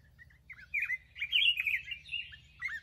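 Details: Black-crested bulbul, a kept bird, opens with faint chips before a loud, rolling, slurred warble, ending in a couple of sharp notes; low hum beneath.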